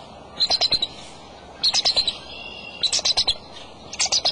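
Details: Adult male bald eagle at its nest holding eggs, 23 March, early afternoon, giving four runs of sharp, high-pitched staccato chips, each run of about five notes, against faint outdoor noise.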